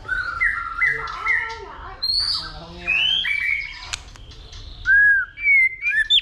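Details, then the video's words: White-rumped shama, caged, singing fighting song stimulated by a female: sequence of clear whistled notes, buzzy slurs and chattering, ending with loud sweeping whistled phrases rising and falling, plus a sharp click midway. "Chòe lửa kích lửa DÌU BỔI,tạch liên tục đập đuôi kích chòe lửa lên lửa hót đấu"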